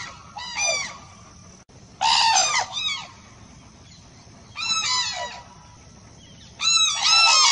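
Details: Crane calls ring out as four brassy, rolling bursts, some doubled, with downward-sliding ends, separated by pauses of one to two seconds against a faint constant hiss.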